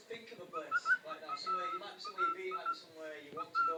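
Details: A pet cockatiel in a new hiding spot talks and sings, chattering in speech-like babble mixed with short, clear whistled notes, repeated in quick bursts indoors.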